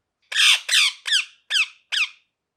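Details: Parrot giving five harsh rasping squawks, the first two long and loud, the later three shorter and downslurred, spaced roughly every half second in a quiet room.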